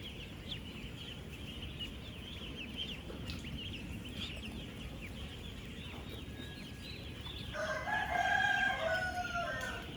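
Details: About 16,000 ducklings at ten days old on a real duck farm: steady high peeping from the flock, then near the end a louder, nearby, harmonic squawking call for about two seconds above the chorus and low rumble.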